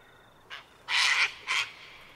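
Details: Sulphur-crested cockatoo at Mt Coot-tha, Brisbane, Queensland, 6 November 2022, recorded with a Canon R7: a brief rasp followed by a loud, grating screech and a shorter harsh squawk over a thin steady whine.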